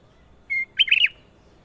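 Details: Sooty-headed bulbul (kutilang emas) in full, lively song: one steady clear whistled note, then a quick burst of bubbly, warbling notes rising and falling, over a quiet background.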